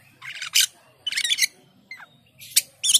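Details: Asian pied starling song of harsh, broadband squawking bursts separated by short pauses, with a brief descending whistle in the middle.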